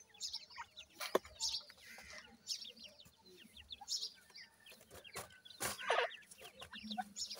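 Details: Grey francolin chicks being raised by people, giving many short high chirps and peeps in rapid, overlapping bursts, with sharp clicks and knocks throughout.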